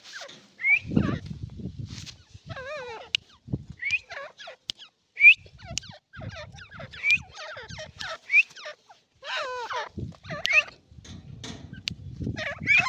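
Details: Irani partridge calls in a busy stretch: many descending harmonic notes and brief rising whistles follow one another rapidly, with low rumbling noise underneath at times.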